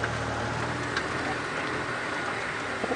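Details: Engine drone with patter like rain or gravel and a few knocks during a safari drive, with no animal calls heard.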